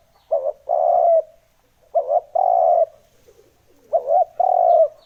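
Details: Spotted dove lure calls for trapping wild doves: three identical phrases roughly two seconds apart, each a short dipping double note followed by a drawn-out, husky coo.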